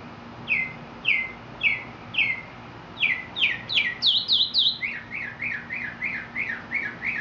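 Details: Mockingbird from Mexico singing a rich sequence of repeated syllables. Falling whistles come in fours, then higher sweeping notes, then a quick string of rising-and-falling chirps, several per second.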